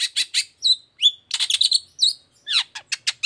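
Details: Energetic long-tailed shrike 'toet toet' song for prompting other shrikes: harsh, broad squawky notes interleaved with clear, bent whistled slurs, given in quick succession.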